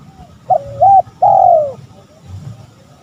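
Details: Single spotted dove phrase for provoking rival males: a short note, a level two-part coo, then a long loud arching coo that slides downward and fades.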